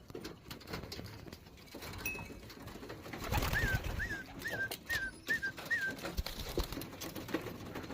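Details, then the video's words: Young racing pigeons give about six thin, squeaky peeps, each a quick rising-and-falling note, over a couple of seconds against a rough background rustle. "Calling Racing pigeon, Young birds."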